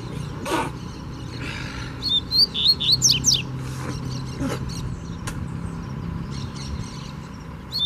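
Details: A free-flying double-collared seedeater comes aggressively at a caged rival, giving a quick burst of high, sharp, twittering notes for about two seconds over a steady background hiss, with a few clicks before and after.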